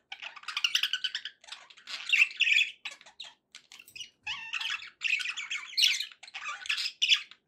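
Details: Pet budgies warbling in clustered bursts of harsh chirps and squawky notes, rising and falling in loudness with short silent gaps between phrases.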